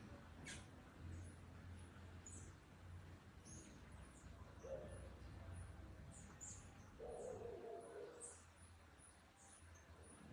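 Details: Female Green Honeycreeper (Chlorophanes spiza) giving very high, thin, sharp chips, irregular but several per second, over a steady low rumble and a few soft low cooing notes.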